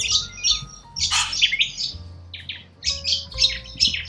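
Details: Wild Australian corella cockatoos giving loud, harsh, broadband screeches in short separate bursts, with a faint low tonal hum in the background.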